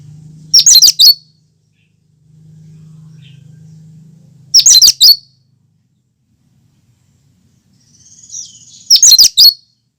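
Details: Cucak kinoi singing its original song without fills, used to prompt other birds: three loud four-note shrill chattering phrases roughly four seconds apart, one preceded by a thin high whistle, over a faint low hum.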